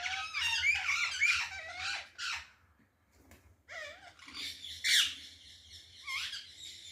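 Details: Several parrots calling loudly on a balcony: harsh squawks mixed with wavering whistled and screechy notes in irregular bursts, a short lull midway, then more overlapping calls, with a faint low hum beneath.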